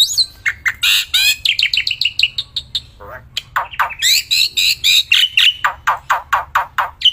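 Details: Black-winged myna kept as a contest songbird, singing nonstop outdoors and in hand: dense stream of loud harsh squawks, buzzy notes and quick chips repeated several times a second.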